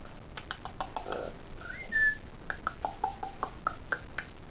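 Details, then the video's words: Harry, a pet male yellow-naped amazon parrot that loves to talk and sing, being coaxed to do his "opera", gives short whistled notes, one sliding upward, mixed with quick clicks and pops in an uneven, tuneful run. "The Amazon Parrot who loves to sing and talk"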